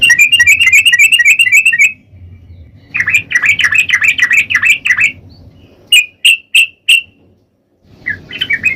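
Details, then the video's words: Sooty-headed bulbul, known locally as trucukan, sings fast rattling trills and bubbly whistled runs, then several loud clear whistles spaced apart, over low background rumble. "Burung Trucukan Ropel Garuda"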